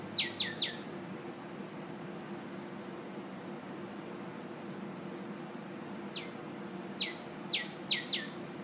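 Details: A singing northern cardinal gives a quick burst of three sharply downslurred whistles. A quiet pause of several seconds follows, then a second run of four to five similar descending notes. A thin, constant high-pitched whine and low rumble persist underneath.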